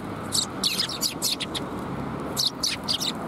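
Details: Several sparrows at a Tenmangu shrine on the afternoon of 21 January 2022 give rapid clusters of high, sharp chirps that overlap in bursts over a steady low hum of traffic.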